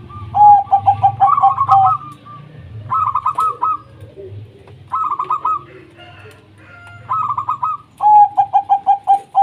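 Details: Several local zebra doves singing together to spur silent doves into song: repeated bursts of fast staccato, chuckling notes, separate series of clear, evenly spaced clipped notes at the start and end, and a low hum underneath.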